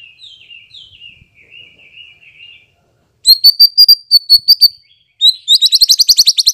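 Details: White-rumped shama song used as a lure to make birds respond: a soft, quavering warble, a pause, then loud sharp notes repeated rapidly, ending in a fast accelerating high trill.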